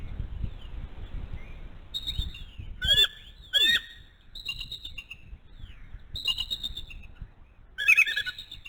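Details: Bald eagle, the mother at a live nest cam in the Little Miami Conservancy, calling as her eaglet turns one month old: high, thin chattering whistles in short loud bursts with falling squeals, forest birds chirping and whistling behind.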